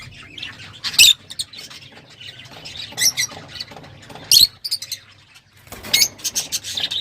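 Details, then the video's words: Lovebirds, kept at home, give sharp, shrill squawks and chirps in short bursts spaced a second or two apart, with quiet gaps between them. "تغريدروز/صوت روز /Love Bird Sound"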